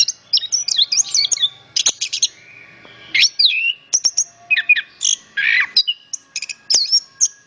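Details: Rapid, varied song of an orange-headed thrush, known locally as anis kembang: quick high whistles, slurred rising and falling notes and rattling clusters in an unbroken string, on a quiet background.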